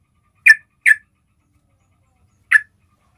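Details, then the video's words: Yellow-vented bulbul basic call, used to lure other bulbuls: three short, sharp, bright chip notes, two in quick succession and a third after a two-second pause, against silence. "SUARA PANGGILAN DASAR SEMUA JENIS TRUCUK"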